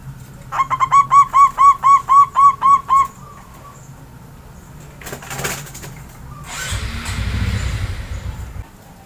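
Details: A captive local Javan zebra dove, put out to sun in the morning after bathing, gives a quick run of about ten soft, even cooing notes, roughly four per second, then falls silent; later come rustling and low rumbling noise.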